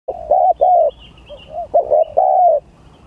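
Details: Spotted dove singing in a contest pitting the gagap tindan song style against the klantan style: low hollow coos, short stuttered notes followed by long, drawn, slightly falling coos, with faint higher chirps above.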